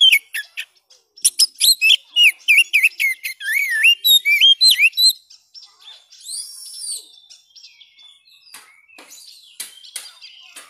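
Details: Rapid, varied song of an Oriental magpie-robin (kacer), played to revive a non-singing bird: sharp clicks and twisting whistled notes for five seconds, then quiet with a drawn-out faint phrase and scattered soft ticks.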